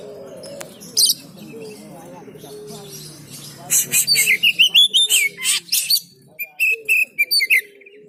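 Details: Oriental magpie-robin at a market for training: scattered chips, then an energetic burst of loud whistled phrases and buzzy notes, over low background murmuring.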